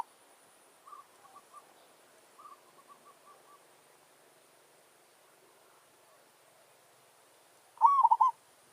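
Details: Zebra dove (merbok kampung) luring a wild forest dove into a territorial challenge. Two faint, distant strings of soft coos come first. Near the end, one loud nearby phrase rises, then breaks into quick rolling coos.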